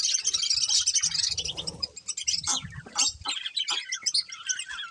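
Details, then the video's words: Colourful budgerigar breeding pair chirping in loud, dense, buzzy high warbles and chatter, with brief low rustling noises in the first half. "Colourful Budgies Chirping Sounds"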